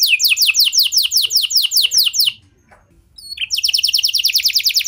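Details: Canary lure song meant to make other canaries sing: a run of fast falling whistles, a short pause, then a quicker trill of high repeated notes.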